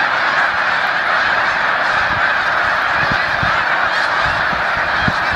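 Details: A huge Snow Goose flock settling back onto a lake at Assateague in late December 2011 after a mass startled takeoff, producing an unbroken wall of clamorous, overlapping nasal honking and occasional low thumps.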